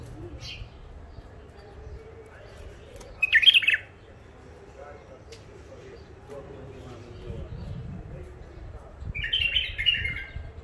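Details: Two brisk, chattering warble bursts from a wild-caught bulbul taken near the Mandali crossing and kept in first isolation, spaced roughly six seconds apart, with low rumbling background noise in between.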